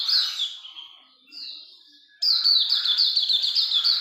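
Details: Hume's white-eye in vigorous song: a few loose high notes and a quiet pause, then a sharp return to a rapid, sustained stream of high, slurred chirps.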